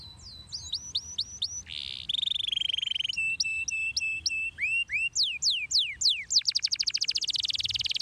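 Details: Canary singing, intended to stimulate other canaries: clipped repeated whistles, a buzzy burst, a long steady trill, looping upslurred notes, and a closing rapid rattling trill.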